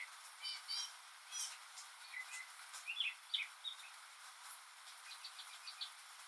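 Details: Lone northern mockingbird singing in the rain, copying other birds and sounds: scattered bright chirps and short warbled notes, quieter and more spaced, over a steady rainy hiss.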